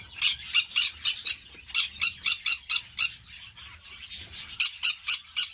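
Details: Green-cheeked parakeet (Pyrrhura molinae) at an amateur breeding aviary giving harsh, raspy squawks in rapid bursts, about four per second, pausing briefly midway before resuming the grating series.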